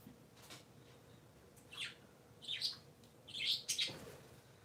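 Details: Three pet parakeets kept indoors on a Sunday morning, giving short bright chirps in a loose cluster, some doubled, with quiet room hum between calls.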